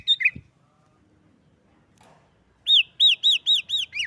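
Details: Sooty-headed bulbul in combative lure song meant to stir other bulbuls: a couple of brief notes and a thud, over two seconds of near silence, then a rapid run of six arched, ringing notes about four per second.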